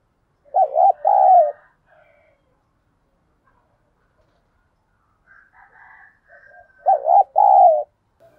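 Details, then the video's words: {'caption': 'Spotted dove acting as a decoy to incite wild birds to fight. Two loud coo phrases, each a double note then a longer coo, are about six seconds apart. Faint higher chirps and soft notes fill the pause.'} "Chim Cu Mồi thúc đấu, cu gay kich boi nhanh noi"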